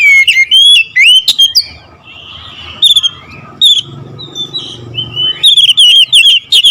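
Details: Oriental magpie-robin singing in bursts: quick looping whistles and clicks, a pause with soft low background noise, then a fast run of rising and falling chirps.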